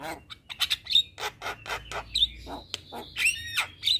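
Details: Javan myna (jalak kebo) in energetic, vigorous song, used as a tutor recording for kept birds: harsh broadband rasps alternating with sharp high whistles and chattering notes, delivered in quick irregular bursts.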